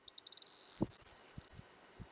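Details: Corn bunting, a male singing from a perch such as a fence, post or wire in spring: a run of dry high ticks speeding up into a bright, glassy jangling trill, ending abruptly, with a few soft low knocks beneath.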